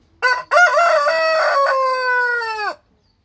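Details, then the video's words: Light Brahma rooster in a backyard gives a loud full crow: two short choppy opening notes, then a long rich harmonic tone held for over a second, gently falling in pitch before cutting off sharply into silence. "Rooster Crowing"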